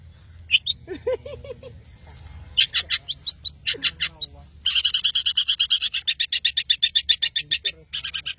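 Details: Long-tailed shrike from Madura in full, lively song: a varied outpouring beginning with scattered high chirps and lower trilled notes, then a long, fast run of sharp, buzzy high notes repeated about four per second.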